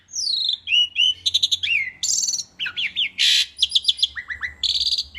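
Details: Lively Asian pied starling song for training songbirds: descending whistles, buzzy chattering bursts, looping slurred notes and short rising chirps tumble out in quick succession.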